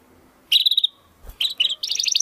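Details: Domestic canary singing in a 'crystal voice' style, recorded as tutor song for training competition birds: short bursts of bright, high rattling trills and a rising whistled note, separated by quiet gaps with faint background noise.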